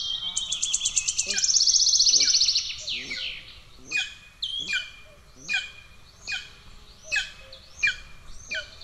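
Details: Starving golden eagle chicks in an Estonian nest on 2 June 2024, with the elder attacking the younger. A fast trill from another bird opens, then sharp downslurred begging notes repeat about every three-quarters of a second.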